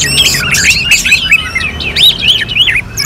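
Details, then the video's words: {'caption': 'Short burst of orange-headed thrush song, North Bali, contest simulation style: rapid looping whistled phrases, each note bending up and down, delivered in a quick clear series with little background noise.'} "KICAUAN ANIS MERAH SEPERTI SIMULASI LOMBA"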